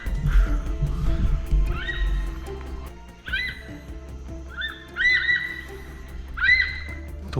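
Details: A Brown Hornbill heard but not seen on Khao Phanoen Thung, Kaeng Krachan National Park, gives sharp, yelping notes in short bursts, each rising then dropping, about five calls in seven seconds, over steady background music.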